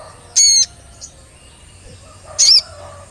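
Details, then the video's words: Olive-backed tailorbird, played as a lure to get tailorbirds singing: two loud, high, ringing notes about two seconds apart, each short and sharply bent, over a faint steady high hum. "Pancingan Sogon Agar Cepat Bunyi Dan Gacor"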